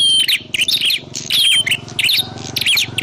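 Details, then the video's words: Prinia calls intended as a trapping lure: quick high chirps and thin whistled slurs repeated in short bursts, over a pulsing low mechanical-sounding hum. "Suwara Burung Prenjak_klawu Buwat_Mikat"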